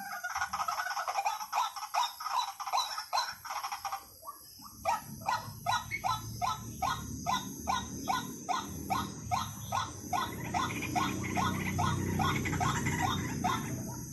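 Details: White-breasted waterhen call played as a lure: after a brief quieter start, a steady run of short, rising, nasal notes repeats about two to three times per second, with a constant high hiss and a low rumble behind.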